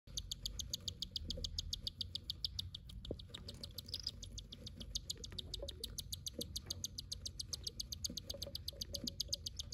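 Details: Cockatiel chicks being fed beg with a fast, raspy, rhythmic chatter of about four pulses a second.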